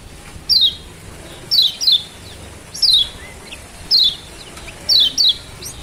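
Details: Lombok mountain white-eye, kept bird, sound used to prompt a silent bird to sing: sharp high descending chirps, single or paired, repeated about once a second, with quiet background.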